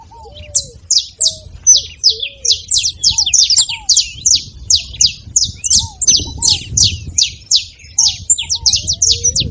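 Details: Beautiful saffron finch song played to encourage a cold bird to sing: steady run of bright, high, falling chips roughly twice a second, with occasional low curving whistles underneath.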